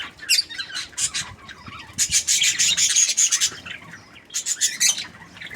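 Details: Cheerful budgie chatter comes in clusters of sharp chirps and raspy squawks, with a long busy run in the middle and quieter gaps between bursts.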